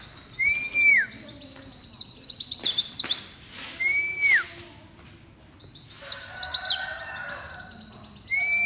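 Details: White-eye song with short falling whistles mixed with fast bursts of high, jingling downward-sweeping notes that come in clusters every few seconds.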